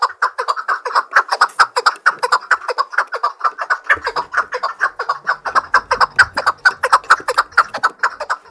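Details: Chukar partridge singing for fighting: an unbroken, highly regular rattle of repeated chuk notes, roughly two per second, loud throughout, with faint low thumps in the background.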